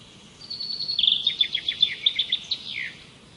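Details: Singing bird delivering a fast run of bright, evenly spaced high chips about seven per second, closing with a dropping slurred note, over a quiet hiss.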